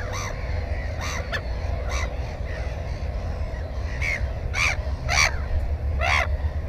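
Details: Black-headed gull at its nest holding one egg and one chick, filmed with a GoPro 4 on 15 May 2016; harsh arched calls, several rapid loud ones clustered near the end, over a steady low rumble.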